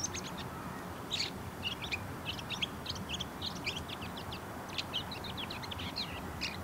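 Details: A bull-headed shrike sings its courtship song, a long busy string of varied squeaky chips, quick trills and buzzy twitters delivered almost without pause, set against faint steady background noise.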